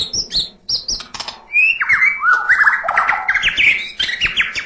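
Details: White-rumped shama (murai batu) singing full 'isian' song: a few high sharp notes, then rapid repeated slurred whistles climbing in pitch, loud and lively, with faint clicking beneath.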